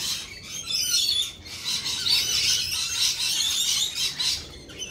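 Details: Lorikeets keep up a nearly continuous high, harsh chatter of overlapping screeches and squeaks.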